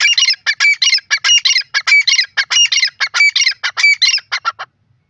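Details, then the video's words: Grey francolin, known locally as teetar, calling: a rapid series of harsh, high squawking notes repeated about 94 times a minute in a steady rhythm, stopping after four and a half seconds. "grey francolin call"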